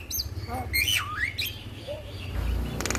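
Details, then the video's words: Male Javan myna song used as a master recording to prompt other mynas to sing: a sharp high whistle, a loud swooping whistle that falls then rises, then scattered softer notes, a harsh buzzy burst at the end, over a steady low hum. "Masteran jalak Kebo jantan Suaranya Bikin Burung jalak Anda Langsung Bunyi"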